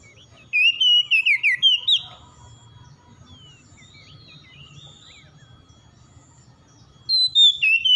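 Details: Morning singing of an oriental magpie-robin, used to restore stressed birds: a burst of roughly seven rapid warbled whistles, then a quiet gap with soft distant chirps, and a new whistled phrase starting near the end.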